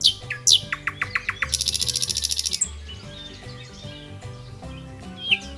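A nightingale sings a quick run of sweeping whistles and piping notes, then a fast, loud, dry rattle, over soft steady background music.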